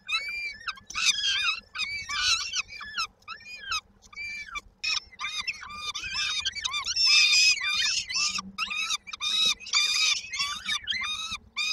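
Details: Peregrine falcon nestlings, Koszalin, Poland, 19 May 2022, awaiting their mother with supper; rapid chorus of short, harsh, chattering squeals, roughly three per second, louder and denser toward the end.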